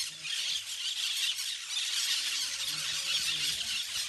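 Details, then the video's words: A flock of parakeets playing in the trees gives a dense, continuous wash of shrill, overlapping screeches and chatter. "flock of parakeets playing in the trees / bandada de pericos jugando en los arboles"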